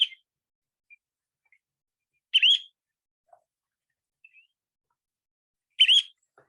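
Semipalmated Plover giving three sharp, rising two-note 'chu-weep' calls, spaced about three seconds apart, high and clear against a quiet background.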